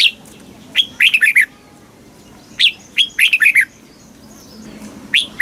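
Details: Caged Thai red-whiskered bulbul performing southern master-pattern song to stimulate other birds and teach young birds: sharp opening notes lead into a fast cluster of falling whistles, repeated about every two seconds, then a lone note.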